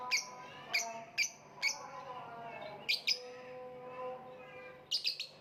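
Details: Lovebird giving sharp, piercing chirps, four evenly spaced, then a pair, then a closing cluster; a faint wavering tone lies beneath.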